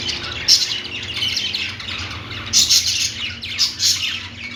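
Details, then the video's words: Budgies kept as pets chirp and warble while perched, a continuous high twittering with sharper shrill squeaks bursting out now and then. A faint low background hum is present. "budgies singing on perch"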